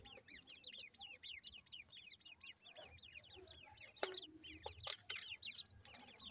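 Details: A female grey francolin and chicks feeding; a steady, fast series of high hooked peeps, several each second, continues throughout, with sharp snapping clicks later on.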